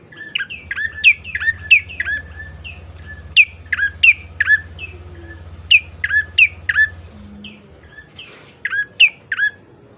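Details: Bar-winged prinia lure song: scattered sharp, twisting chirps and squeaky notes, irregularly spaced, over a steady low droning hum.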